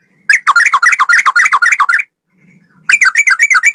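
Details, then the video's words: Sooty-headed bulbul male in vigorous ropel song, a long one-breath run of rapid, bubbling whistled notes for nearly two seconds, a brief gap with soft low sounds, then the rapid chatter resumes. "Burung trucukan gacor ropel 1 nafas panjang volume cucak rowo"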